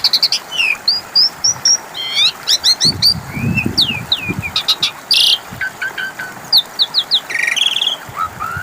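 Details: Asian pied starling song used as a lure for other birds: rapid, varied chatter of whistled slurs, clicking note runs and harsh buzzy bursts, with some low rumbling noise in the middle.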